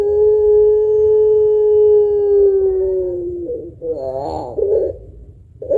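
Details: Spotted dove of the puter pelung type, a lively singer used as a lure to stir other birds into song, with a thick ending note: a steady low coo held three seconds, sliding slightly down, then wavering warbled notes and a fresh start.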